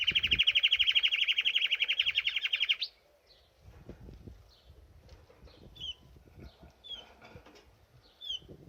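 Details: Canary at a birdbath delivering a loud, rapid rolling trill of evenly repeated notes for nearly three seconds. It is followed by quieter, sparse upslurred chips and soft low knocking sounds.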